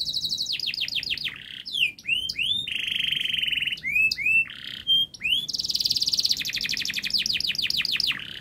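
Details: Canary model song for young birds learning to sing: falling slurred notes, sweeping upturned whistles, a long low rolling trill, then dense fast chattering and descending repeated notes, continuous and loud.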